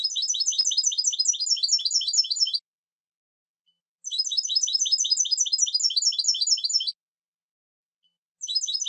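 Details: Song of a European goldfinch from silvestrismo circles: long runs of quick, evenly repeated high tinkling notes, each run lasting two to three seconds with short pauses between, a third run starting at the end.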